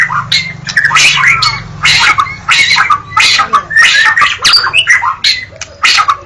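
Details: White-rumped shama giving dense, harsh chattering bursts mixed with whistled fragments, loud and almost continuous, over a faint low steady hum.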